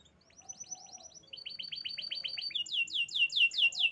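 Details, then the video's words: Canary song in rapid rolled phrases, each a quick run of repeated high notes, starting thin and rising to louder, sweeping trills near the end. "Birds Chirping || Canaries"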